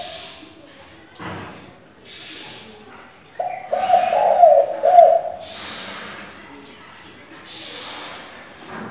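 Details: Decoy spotted dove, kept to stimulate and train young doves, switching voices. A low rolling coo of several notes in the middle, with repeated thin high chirps about every second throughout.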